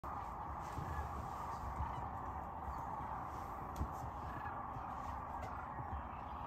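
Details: Sandhill cranes on spring migration in Nebraska, a dense, continuous chorus of many rolling calls from a large flock, blended into a steady roar with no single voice standing out.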